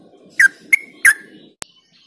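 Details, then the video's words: Yellow-vented bulbul, a song for stimulating other bulbuls, giving three bubbly slurred notes over a low murmur, followed by a sharp click. "Trucuk Ropel Joss Buat Pancingan Burung Yang Jarang Ropel Dijamin Gacor Dor"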